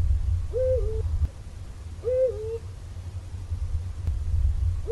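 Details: Eurasian eagle-owl hooting twice, each call a short, swelling note that rises and then dips, about one and a half seconds apart, with the start of a third at the end; a constant low hum runs underneath.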